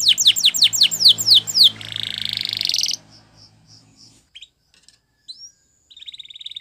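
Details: Song used to train canaries: quick descending whistled notes, then a harsh buzzing roll lasting about a second, followed by scattered soft chirps and a short trill; low background rumble early on.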